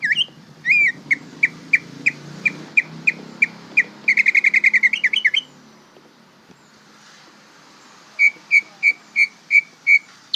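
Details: Young greater green leafbird practising its song: evenly spaced bright chip notes, a fast trilled run around four seconds, a quiet gap, then another series of regular repeated chips.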